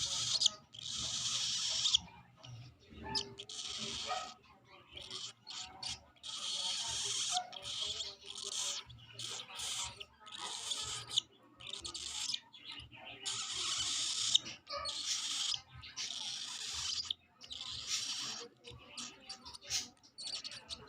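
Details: A cockatiel chick on its fourth day of hand-feeding gives harsh, raspy begging calls in rapid, uneven bursts while being fed.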